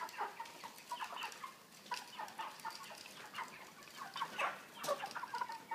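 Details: A flock of 3 kg broilers in a cage with an interior pan feeder and plastic flooring. Soft repeated clucks and brief peeps overlap steadily, with sharp clatters from the cage now and then.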